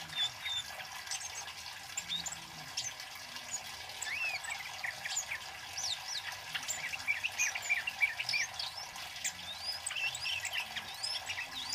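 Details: Loud, lively flowerpecker (kemade cabe-cabean) male, a recording used for luring and song tutoring: dense bursts of high, thin chirps and short upward-slurred tsip notes, quickening and crowding together in the middle, over steady faint hiss.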